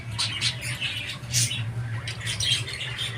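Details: Short budgerigar squawks and scratchy chirps come in quick irregular succession over a noticeable low hum.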